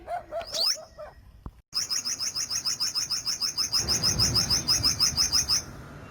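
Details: Olive-backed sunbird singing: a long, fast, evenly repeated high trill of sharp notes lasting several seconds, preceded by a few short chirps, with a soft background rumble.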